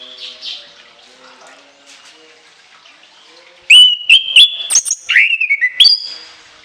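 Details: Shrill song bursts of an orange-headed thrush, part of a long fill-in repertoire: near silence, then loud sharp clicks and steady high whistles, a descending slurred note, and a last higher whistle.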